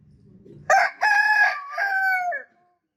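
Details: A single loud rooster crow bursts in after soft low clucking. It has a sharp opening syllable, a strong held middle and a long, gradually fading, falling final note.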